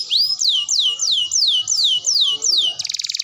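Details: Canary singing a tutor song meant to train young and adult canaries and prompt them to sing: a run of loud descending whistled sweeps about three per second, ending in a fast buzzy trill.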